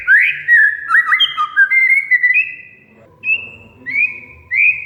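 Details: Oriental magpie-robin (kacer) song as a lure for a silent bird: a run of sliding whistled notes, then slower single rising whistles spaced apart by about half a second or more.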